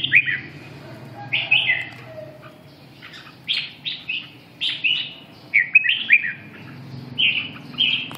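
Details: Red-whiskered bulbul song made of short, clear whistled phrases repeated roughly every second, each a quick upward-then-down flourish, over a faint low background hum.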